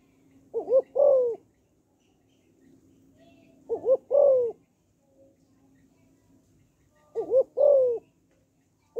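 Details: Spotted dove female cooing to excite males: three evenly spaced phrases of two quick wavering hoots and a drawn-out descending coo, with a steady faint hum in the background.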